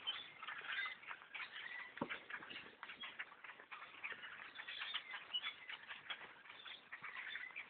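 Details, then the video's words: Thousands upon thousands of black birds fill the trees around a bow hunter's stand, producing constant crackling, squeaky chatter in waves, with one sharp knock near the two-second mark. "attack of the black birds in a tree stand"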